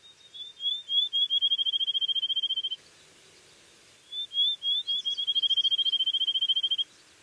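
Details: Field sparrow (Spizella pusilla), a species of open habitats with sparse trees such as oak savanna that sings from treetops, sings two songs of clear high whistles, starting with slurred notes and speeding into a fast even trill.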